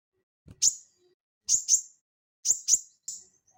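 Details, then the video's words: Cage-bird training recording of the Crested jay (sogon): abrupt, piercing high chips, mostly in quick pairs, four bursts within about three seconds. "SOGON GACOR NGELEPER"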